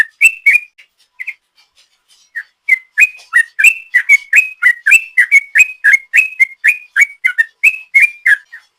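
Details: Sooty-headed bulbul giving a long ropel song used as a lure: a few scattered whistled notes and a short lull, then a dense rolling series of bright slurred whistles, around four per second; otherwise quiet.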